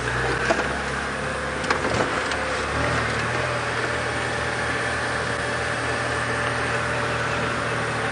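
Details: A steady vehicle engine idles with a few knocks and clatters early on; no animal voice stands out.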